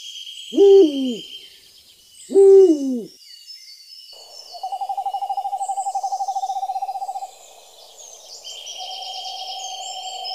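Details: Two loud, low, downslurred hoots about two seconds apart from an owl, followed by a long, fast, purring trill at a higher pitch, over a background of high insect and bird chatter.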